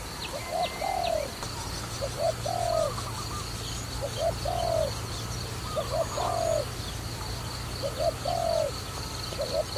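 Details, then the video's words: Dove used for trapping repeats short paired coos, a quick note then a falling one, roughly every two seconds, with thin higher chirps from other birds. "Wonderful Trapping Dove"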